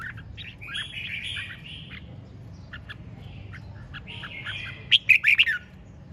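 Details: Red-whiskered bulbul: soft buzzy trills and scattered chips, ending in a loud run of four bright whistled notes; faint low hum throughout.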